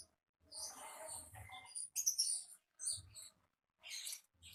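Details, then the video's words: Konin singing lively in the wild, natural wild sound: thin high chirps and buzzy twittering phrases in short bursts, with faint low rumble beneath. "AUDIO KONIN GACOR NGALAS Suara Asli Alam Liar"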